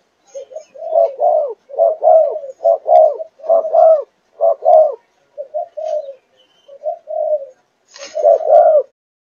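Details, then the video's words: Young spotted dove of Malaysian breeding, four months old, chiêu gù chạy cooing. A clear, low run of doubled coos comes in rapid succession, then softer single notes and a final louder pair. "Cu Gáy Malaysia Dòng Chiêu Gù Chạy 4 Tháng Tuổi"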